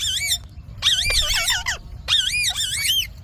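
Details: Pet Indian ringneck parakeet talking in high, squeaky, wavering phrases: three loud bursts of arched, harmonic notes separated by short pauses.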